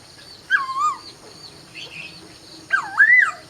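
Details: At dawn a laughingthrush gives two loud, melodious whistled phrases, the first falling and the second looping upward, separated by a quiet pause with faint high notes.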